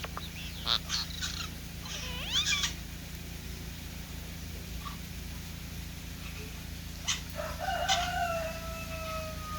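Green jay giving squeaky, sharply upswept and nasal notes with short harsh bursts, spaced irregularly over a steady low background hum.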